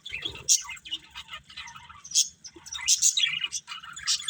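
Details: Breeding pair of budgerigars giving scratchy, high chirps and short squeaky notes in irregular bursts, with brief louder peaks between quieter chatter.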